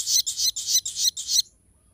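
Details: Crested jay singing sharp full notes for training and luring other birds: six bright, harsh, high-pitched phrases in even rhythm, with faint low background hum.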